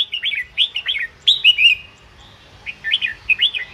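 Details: Red-whiskered bulbul singing, played to stir up caged bulbuls: a run of cheerful, rolling warbled phrases in quick groups, a brief lull, then more bright chirpy notes repeated in pairs and triplets.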